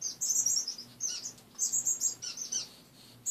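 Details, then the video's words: Several caged pet finches calling in the morning after their owner wakes, cage partly bare; high thin chirps in quick bursts, with faint low hum beneath. "More Fun Just Waking Up in the Morning and Watching My Finches!"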